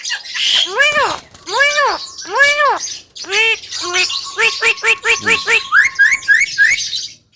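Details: Javan myna singing vigorously, recorded as a master for training other birds; several long arched whining notes, then rapid clipped chatter over a held tone, ending in quick rising high chirps.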